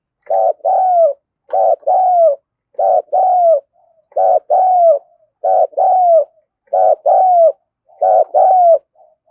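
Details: Spotted dove calling tirelessly in 'thúc gù' style to rouse newly caught birds: seven evenly spaced coo pairs, about one every 1.3 seconds, each a short rough note then a longer note gliding down.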